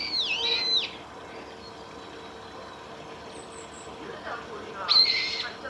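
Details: Female brambling at Saiko Wild Bird Forest Park, Japan, 31 March 2018: two harsh, nasal calls, one at the start and one near the end, each with several stacked bands and sweeping arcs. Faint high squeaks sound in between.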